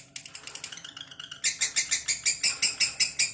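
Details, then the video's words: Lovebird in long ngekek (ngekek panjang) chattering: softer, uneven high notes for the first second and a half, then a louder, sharper run of rapid, scratchy pulses that keeps going to the end. "lovebird ngekek panjang"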